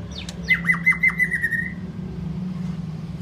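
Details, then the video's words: Singing white-rumped shama: a couple of sharp notes then a quick series of about six downswept notes over a steady whistle, fading into low hum. "chòe lửa hót giọng dài"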